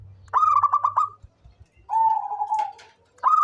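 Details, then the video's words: Rapid chain of pulsed coos from a local zebra dove, an active caller used as a lure, followed by a smooth prolonged lower note and the start of another pulsed burst; faint low hum early on. "SUARA perkutut LOKAL gacor cocok buat pancingan rajin bunyi"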